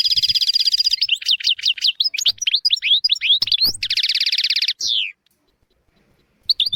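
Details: European goldfinch singing for training young goldfinches and canaries: a fast buzzy trill, a string of swooping slurred notes, another long even trill and a falling buzz, then near silence and a final chirp.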